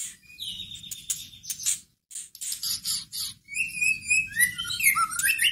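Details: White-rumped shama, a caged bird, in a recording used to stir up and provoke another shama into singing: a rich, varied medley of long whistled notes, sliding phrases and sharp clicks and rasps, with a short pause midway and a faint low rumble beneath.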